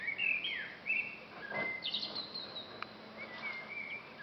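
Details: A bird in a garden in Truro, Cornwall, on 17 May 2020 gives thin, high whistled phrases with quick slurred notes and short trills, in bursts over a soft outdoor hiss.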